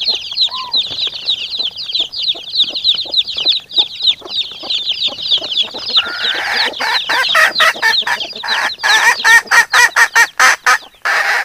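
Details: Hen and chicks calling back and forth: a dense stream of high thin chick peeps, about four per second, with lower clucking from the hen growing louder and more broken toward the end.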